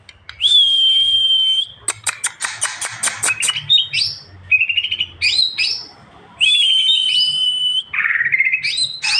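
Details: Greater green leafbird, a kept songbird, delivering a loud, varied song: long sustained whistles, rapid ticking bursts, rising slurred phrases and harsh buzzy notes in quick succession.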